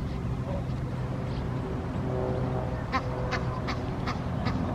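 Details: Egyptian goose with its small goslings, feeding together; soft nasal quacking calls sit low under a steady rumble, with several sharp clicks in the last two seconds.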